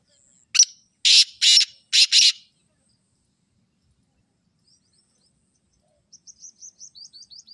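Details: Black francolin calling with a sharp opening note followed by three grating, buzzy syllables. After a pause, a faint series of high, rapid ticks comes from another bird.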